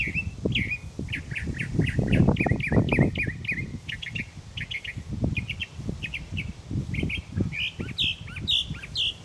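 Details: A mockingbird's tireless morning singing, said to continue until it finds a mate. Quick runs of identical chirpy notes give way to higher, sharper phrases near the end. Rumbling low-pitched background noise throughout.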